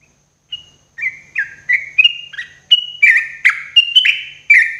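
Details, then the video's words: Sooty-headed bulbul at morning, sung as therapy for cage birds: a single whistle, then a lively string of short, buzzy-edged slurred notes that rise in pitch and spacing. "TRUCUK GACORRR !!! TERAPI TRUCUKAN PAGI HARI"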